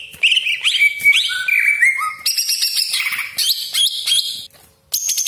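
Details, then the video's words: Greater green leafbird in full song with sharp 'tembakan' bursts and harsh 'besetan' phrases, used to provoke other leafbirds: rich whistled notes stepping between mid and high pitch, then abrupt high bright phrases with a brief pause near the end. "CUCAK IJO GACOR DOR TEMBAKAN TAJAM BESETAN KASAR ROLL PANJANG FULL ISIAN"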